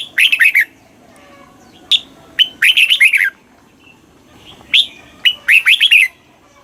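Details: Red-whiskered bulbul from Thailand, a caged songbird, singing in southern master-phrase style, played to excite other caged birds and teach young ones: short bursts of bubbly, warbled notes near high pitch, each phrase of about five notes, repeated with pauses.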